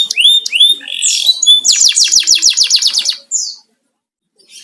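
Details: Canary kept as a house bird, opening with a few clear rising whistles, then a quick rattling trill of repeated notes that stops abruptly, followed by silence.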